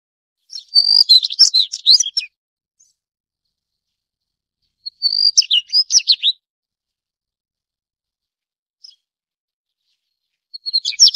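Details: Daurian redstart (Phoenicurus auroreus) giving short, bright phrases of high whistles mixed with scratchy twittering notes, about one and a half seconds long, repeated every four to five seconds with silence between; no other sounds.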